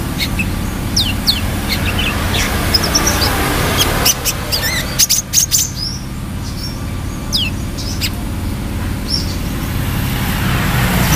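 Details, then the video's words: Brown-throated sunbird singing: scattered high, thin chirps and quick descending slurred notes, clustered in a busy burst around the middle, over a steady low droning hum of a running engine or machinery. "KOLIBRI KELAPA GACOR"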